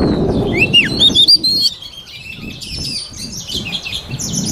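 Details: White-rumped shama singing for voice training: quick, sweet, looping whistles at the start, then fainter high twitters over low background rumble.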